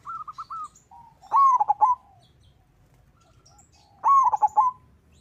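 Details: Local zebra dove (perkutut) lure song, meant to get other doves singing: a few quick soft notes, then two loud stuttering phrases of bent whistled coos about three seconds apart.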